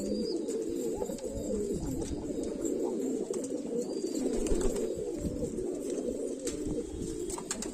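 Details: Many highflyer pigeons in Moradabad coo together in a low, continuous, overlapping rumble, with a few faint, thin high squeaks; the sound has the close feel of an enclosed loft.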